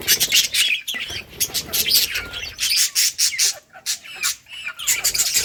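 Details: Budgies in a colony playing, recorded August 25, 2023: rapid, choppy high chirping and chattering from many birds, pulsing in quick bursts with short pauses.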